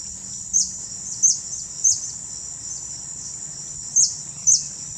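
Blue-chested hummingbird giving sharp, very high chips, a few spaced about half a second to a second apart, over a steady high insect drone.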